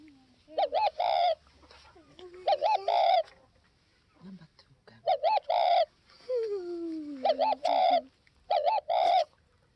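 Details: Spotted dove from Northwest Vietnam giving repeated mellow coo phrases of quick short notes ending in a drawn-out rolling note. Lower, downward-sliding whistled calls from another bird sound between the phrases.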